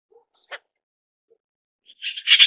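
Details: Red-billed blue magpie (Urocissa erythroryncha) gives a quick run of harsh, rasping, screechy notes at the end, after a lone dry click and near silence.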